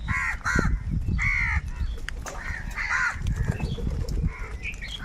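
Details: Crows in a big flock fighting for food, giving rough nasal caws in a rapid run, several birds calling at once, with low-pitched background noise.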